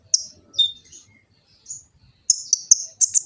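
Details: Kolibri ninja sunbird, East Java: scattered high chirps and a short downslurred whistle, then a quick burst of shrill repeated notes. This is a master song for teaching kept birds.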